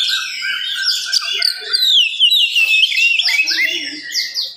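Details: Rapid, tightly packed morning song of an oriental magpie-robin, used to provoke other magpie-robins: a torrent of sweeping whistles, downslurred notes and trills, about three notes per second, growing busier and higher toward the close.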